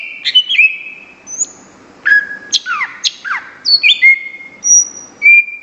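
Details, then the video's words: A greater green leafbird in strong, full song sings a lively, varied run of clear high whistles, sharp downslurred sweeps and quick chips, delivered in rapid bursts with brief pauses. "SUARA CUCAK IJO GACOR"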